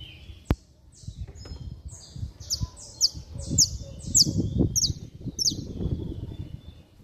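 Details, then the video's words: Saffron finch (canário-da-terra) singing hard in the 'estralando' style: after a loud click, a run of sharp, high, downslurred chips builds in a rapid series, repeated roughly twice a second over a low background rumble. "Canário da Terra Estralando Muito - Ótimo Para Esquentar Qualquer Canário-da-terra!!!"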